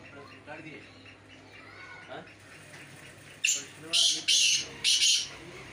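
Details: During a calling performance check, a black francolin gives four loud, harsh, grating notes in quick succession near the end, after a quieter stretch with faint voices and other birds.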